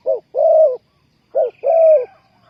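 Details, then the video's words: Spotted dove calling as a decoy to lure wild doves into a trap. It gives two low phrases, each a short hoot followed by a longer, drawn-out, gently falling coo, with a faint higher chirp overhead. "Sound Of dove"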